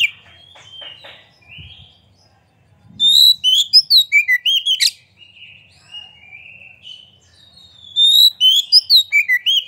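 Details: Singing white-rumped shama, tail open, a recording meant to excite other shamas to sing; soft low fluttering notes give way to dense runs of loud whistles, trills and sharp chirps, pausing briefly before another vigorous rapid phrase.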